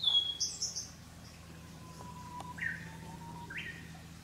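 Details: Blue-and-white flycatcher (Cyanoptila cyanomelana), a summer breeding visitor to Japan, giving a few short, thin, high call notes, spaced irregularly over several seconds, with a faint low hum behind.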